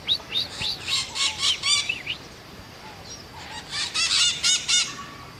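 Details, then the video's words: Scaly-headed parrot (maitaca-verde) giving two bursts of harsh, nasal, harmonic squawks, about four per second, separated by a short quiet gap. "Maitaca verde Scaly-headed Parrot"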